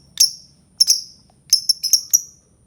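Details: Albino lovebird making sharp, high squeaky chirps: two spaced single notes, then a quick cluster of four or five clipped chirps, with faint low background hum.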